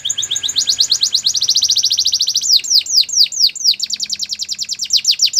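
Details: Canary singing for training: a fast, even trill of short high notes about five to six per second, shifting into louder looping downward-curving whistles repeated rhythmically, over soft low background noise.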